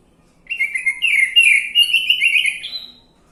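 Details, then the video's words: Orange-headed thrush song played as a lure to make a silent bird sing: a rich run of whistled, warbling notes lasting about two and a half seconds, varied and slurred, with a quiet background. "Pancingan Anis merah macet bunyi"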